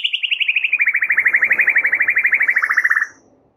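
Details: White-rumped shama song used to provoke silent or stressed shamas into singing: a fast, steady trill of about thirty rapid notes, slightly falling in pitch, lasting three seconds.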